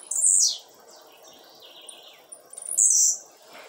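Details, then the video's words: Blue-black grassquit kept by a bird breeder and set outdoors on a Tuesday afternoon. Sharp, high, buzzy, down-slurred notes open and close the phrase, with softer thin sounds between them. "TIZIU LUXO TOP ASSIM COMO VC NUNCA SHOW SEUS CANTOS SUA FIBRA CURTA"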